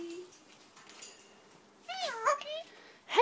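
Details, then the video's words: A 7-year-old male pet Eclectus parrot of uncertain subspecies, chatty indoors, gives a brief wavering, speech-like chattering phrase with rising and falling inflections while a person calls softly to him. "Eclectus Parrot being chatty"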